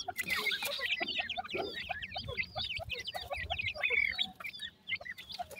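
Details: Several Indian grey francolin (dakhni teetar) chicks call for their mother, a dense stream of short, high, slurred peeps repeated rapidly for several seconds, with a faint low rumble underneath.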